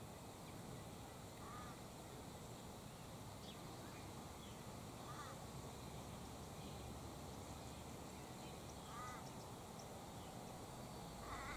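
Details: Sulphur-crested cockatoo calling from high in a gum tree as wind ruffles its crest: rasping, scratchy squawks repeated every few seconds, four in all, beneath a continuous rush of wind.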